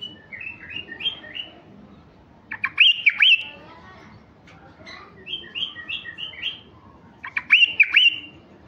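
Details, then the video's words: White-eared bulbul, a mutation male, singing for raw wild bulbuls: series of short descending whistled notes alternating with sharp, jumpy chirping phrases, the pattern repeating twice over nine seconds. "تغريد بلبل عراقي طفرة فحل لفتح البلابل الوحشية الخام"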